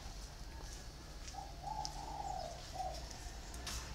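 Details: A captive spotted dove, from a pair caged in round bamboo and iron cages, utters a single soft, gurgling coo phrase of several joined notes ending in a short separate note, over constant low hiss.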